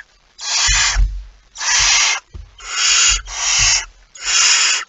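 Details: Barn owl at its nest with prey, 23 September 2019: five loud, breathy screeching hisses in a regular series, with low thuds and shuffling sounds beneath.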